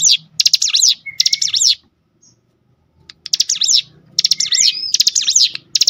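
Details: Cinereous tit lure song meant to make other tits sing: two quick clicking, whistled phrases, a silent gap of over a second, then three more bright phrases.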